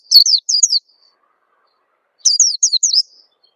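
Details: Two short bursts of high, downslurred chirping by an Oriental white-eye, separated by about a second and a half of silence. This lure call is meant to stimulate young birds to sing.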